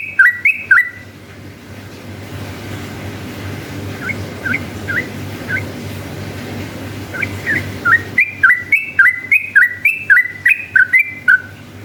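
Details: A lively yellow-vented bulbul delivers a long, energetic song meant to draw rival bulbuls into answering. Bursts of quick, bright, chirpy whistled notes open and close the passage, with softer, scattered notes between them.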